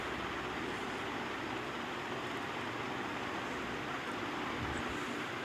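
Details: A steady broadband roar like traffic or surf fills the whole stretch, with no animal voice standing out.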